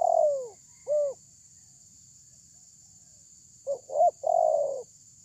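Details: Loud spotted dove lure call meant to make other doves respond: a falling coo and a brief arched note, a pause, then a phrase of two quick coos and a long, even coo. A steady high hiss runs throughout.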